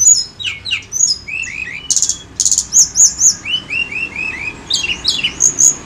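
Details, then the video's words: Lure recording of a Sunda robin singing strongly: a quick series of falling whistles, two harsh buzzy blasts, then evenly spaced high sliding notes and a run of repeated lower upslurred whistles. "PANCINGAN TLEDEKAN GUNUNG FULL GACOR"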